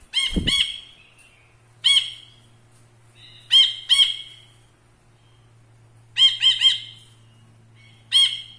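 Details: Caged ashy bulbul kept as a tutor bird for training other songbirds: loud, ringing, harmonic notes given singly or in quick clusters of two or three, spaced irregularly a second or more apart, over a steady low electrical hum.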